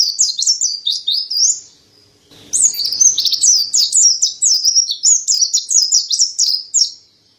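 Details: Mountain white-eye singing in a fast, high run of thin, twittering whistled notes, pausing briefly before a second longer burst of rapid, slurred chirps.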